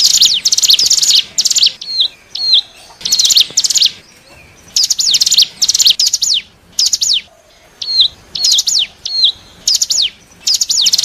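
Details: Lure sound of the hill prinia, locally cigun or ciblek gunung, for attracting wild birds: many quick bursts of high, rattling, down-slurred notes, interspersed with short falling whistled notes, over about eleven seconds with brief gaps.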